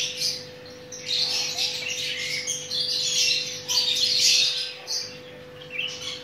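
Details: Chattering lory during mating, its local names Nuri Ambon, Maluku and Ternate: quieter start, then bursts of piercing, grating chirps and squeals in uneven clusters, with a faint steady hum behind.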